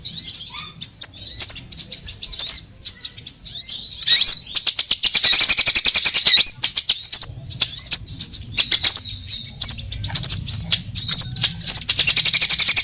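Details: Trapping lure of sunbird calls, all kinds combined: repeated high, thin chirping phrases with a loud, buzzy rapid trill near the middle, then continued twittering and faint low hum.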